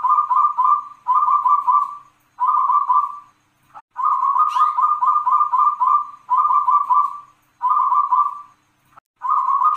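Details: Wild local zebra dove (perkutut) singing the long-kung noklak style, 'klauw ke tek kung kung kung': rolling, throaty coo phrases of rapid pulsed notes, each about a second long, repeated after short pauses; one brief higher sound near the middle.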